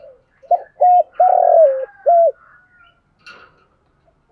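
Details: Decoy spotted dove cooing to lure and provoke wild doves: one low four-part phrase of short, flat, hollow coos with a longer drawn-out, slightly falling middle note, then a faint higher chirp and silence.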